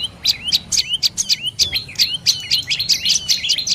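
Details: Dark-necked tailorbird with a rhythmic string of sharp notes, each a high spike dropping then swinging back up, roughly four per second, spacing a little uneven.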